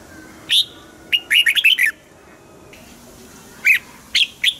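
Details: Red-whiskered bulbul song for rousing caged birds: a whistle followed by a rapid rollicking run of notes, then after a pause three separate sharp, bright calls spaced about half a second apart.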